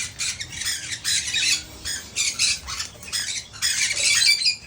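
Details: One-legged rescued male Hahn's macaw working out how to move around its new cage, uttering a steady stream of harsh, chattering squawks in short bursts, with a faint low hum underneath.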